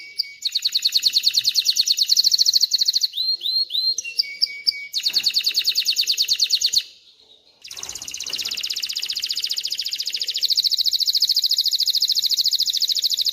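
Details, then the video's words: Male canary singing to teach chicks to sing and ready females for mating: long fast high trills, a brief burst of curling whistled notes, a short pause, then a steady buzzy rolling trill to the end. "تغريد طائر كناري خرافي لتعليم الفراخ على الغناء والاناث على التزاوج، Canary singing"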